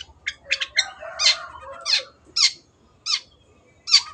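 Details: Long-tailed shrike singing vigorously as a tutor for caged birds: a few quick chirps, then loud, rasping, sweeping notes spaced out with pauses of under a second, plus a faint low hum.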